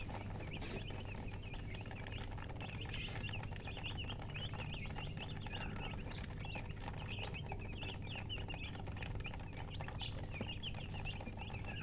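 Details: Freshly hatched baby chickens peep nonstop, a dense run of quick high chirps repeated several times a second, backed by a continuous low mechanical hum.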